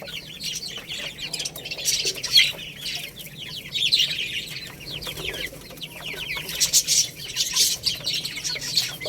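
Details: Baby chickens feeding on rice: a steady, overlapping stream of thin, high chirps with brief downward slides, with soft clicks and rustling beneath.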